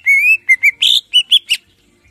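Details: Greater green leafbird, clear song for training caged birds: a long, gently rising whistle, then a string of short whistled notes and one harsh, buzzy note, all in quick succession.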